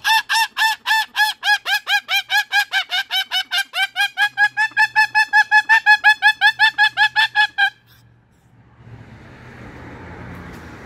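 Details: Pet Moluccan cockatoo telling off a magpie on the roof with a rapid series of about forty harsh, clucking "bok" notes, around three per second, for nearly eight seconds, followed by soft background rustle.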